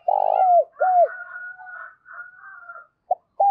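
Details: Spotted dove used as a lure to attract wild doves for trapping, in the giọng thổ song style: a loud low cooing phrase of two hoarse drawn-out notes falling at the end, with fainter higher warbling from other birds after it.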